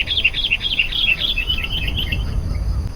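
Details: Sooty-headed bulbul singing energetically, used as a lure to call wild bulbuls: a fast run of bright chirpy notes over about two seconds, then fading, with a low rumble and a faint steady hiss underneath.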